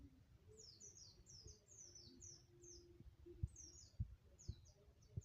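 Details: White-eye in song training: short bursts of high, sharply descending whistled notes strung two to four together, repeated every second or so, faint against a steady low hum with occasional dull knocks.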